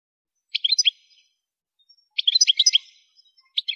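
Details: European goldfinch, a female per the description, kept for training songbirds: two short bursts of rapid tinkling, twittering notes separated by a pause, with a brief start of a third phrase at the end; no other sounds.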